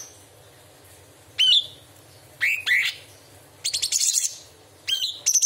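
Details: Straw-headed bulbul, masteran recording with mimicked small and large birds and insects: sparse rising whistled upslurs separated by pauses, one burst of rapid high rattling, quiet hum in the background.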